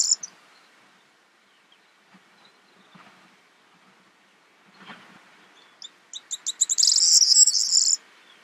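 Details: Corn bunting (Emberiza c. calandra) in the Crau, France, in May 2018, gives a few quick ticking notes that speed up into a high, dry, jangling trill lasting about a second. Before that, only faint background noise.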